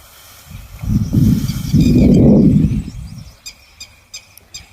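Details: A displaying male Indian peafowl with his train fanned gives a low, buzzing, shivering rattle of about two seconds as the female comes near. Faint high chirps from small birds follow.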